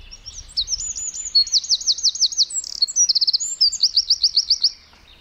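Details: Tiny forest wren singing a long, rapid, high song: strings of quick looping notes, a short fast trill, then another run of repeated notes before stopping; soft low rumble at the start.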